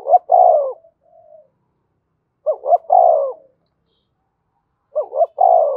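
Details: Spotted dove from Đồng Nai, Vietnam, giving its calling and urging coos, used to lure wild doves. Low, hollow cooing phrases of two quick notes and a longer falling coo are repeated about every two and a half seconds on a silent background.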